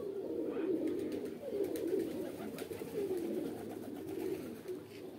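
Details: Pigeons coo in rounded, gurgling phrases that pulse about once a second over a soft murmur of other coos. Faint clicks are heard.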